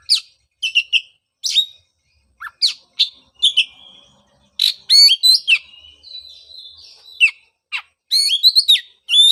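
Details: Oriental magpie-robin song meant to coax a post-moult bird back into singing; sharp separate chirps and whistled notes, a long thin sustained whistle midway, ending in a dense run of rising twitters.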